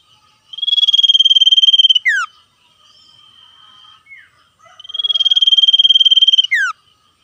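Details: Common iora trading calls with wild birds, a lively trilling song: a long buzzy pulsed note held about 1.3 seconds, then a sharp falling slur, given twice with a softer faint trill between.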